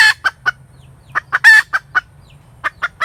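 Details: A hen cackles. Three quick clucks lead to a pause, then a rising run of clucks peaks in a long, loud, rasping note. More short clucks follow against faint low background noise.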